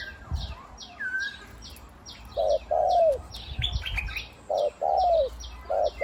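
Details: Caged spotted dove decoy bird with a big voice, used for ground, branch and trap-pen decoying, gives deep cooing phrases: a short coo followed by a longer, slightly falling coo, repeated twice. Many small birds chirp and twitter loudly in the background.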